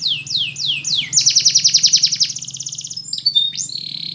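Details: Spanish Timbrado canary song used for training canaries to sing: a few fast descending sweeps, then a rapid metallic trill of repeated high notes, ending with sharp whistled pips and a steady held tone.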